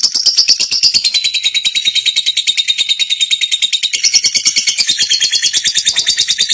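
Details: Champion lovebird singing and chirping in a continuous high-pitched, grating trill, pulses coming quickly and evenly throughout.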